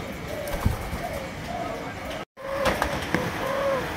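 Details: Young Malaysian spotted dove, three months old, giving soft low coos, a short note then a longer hummed one, broken by a sudden brief gap of silence, with faint knocks in the background.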